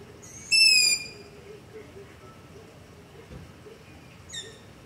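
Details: Long-eared owl begging call, recorded at night near a house on a Zoom H5 with LOM Usi Pro microphone: one loud, high, drawn-out squeaky screech, then a fainter similar screech about four seconds later in quiet surroundings.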